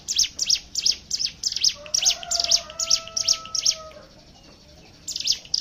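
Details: Hill prinia ngebren song as a lure for other birds: loud, fast, evenly spaced high chips for about four seconds, a brief silence, then more chips, while a long low tonal call runs underneath.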